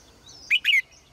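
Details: Female cage bird singing in the morning, kept in a cage: two quick bright chirped notes with a faint high thin whistle before them, background quiet.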